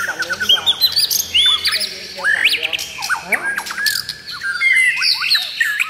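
A white-rumped shama pours out a rich, varied song of fluty whistles, rising and falling slurs and quick chattering notes, nearly without pause, with faint voices behind.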